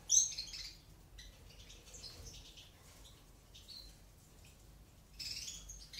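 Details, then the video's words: Eumo-mutation female European goldfinch feeding her chicks in an aviary; one loud high squeak opens, then soft scattered chirps and a renewed burst of high begging at the end. "JILGUERA MUTADA CEBANDO A LOS POLLOS"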